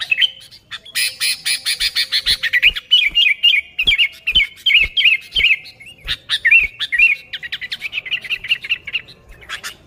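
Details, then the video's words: Sooty-headed bulbul singing for luring wild bulbuls: an extended rolling series of repeated bubbly, slurred notes, roughly three per second, steady and excited, with a few sharp ticks mixed in. "Suara Burung Kutilang Gacor ASLI Tanpa isian, Ampuh untuk Pikat Kutilang bikin kutilang Ribut gacor"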